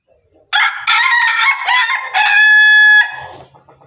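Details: Pelung and Ketawa chickens crowing together: a long, loud crow of about two and a half seconds, choppy at first, then a level, clear held note before it breaks off into low clucking.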